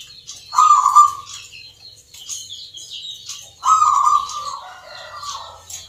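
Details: At a Yogyakarta contest for local zebra doves (perkutut) singing in the Nglagu Ngepat Mentaraman rhythm, two strong burring coo phrases sound about three seconds apart. Thin, busy twittering from other birds runs above them.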